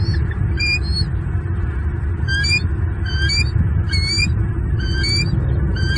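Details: Male bald eagle at a nest in Southwest Florida, calling at an intruder while protecting two chicks: high, thin chittering notes in short bursts repeated about every second, over a steady low rumble of wind or background noise.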